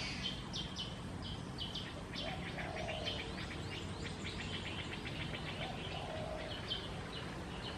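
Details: Black-headed bulbul at Sa Phang, Khao Yoi, Phetchaburi, Thailand, 6 and 9 December 2020, giving a run of quick, sharp high chirps, almost continuous, with two brief low mellow notes from another bird and steady background hiss.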